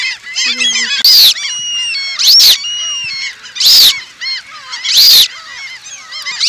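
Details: Eurasian coot of the Asian population: loud, sharp, explosive calls repeating about every 1.3 seconds over a constant background of many overlapping nasal, arched honking calls from a flock.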